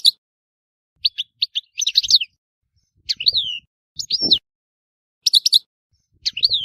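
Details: Scattered high chirps and downslurred whistles from a European goldfinch in Tissemsilt, with soft low knocks and a brief low noise beneath.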